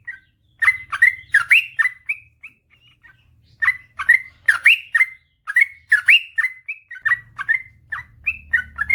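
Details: Yellow-vented bulbul singing in a long continuous run, used to train reluctant birds to sing: quick bubbly warbled notes in rapid clusters, two short gaps, and a soft low hum in the background.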